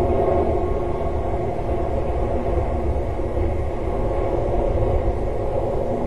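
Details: Continuous broadband roar resembling a passing train or engine noise, unbroken throughout and free of any clear animal voice.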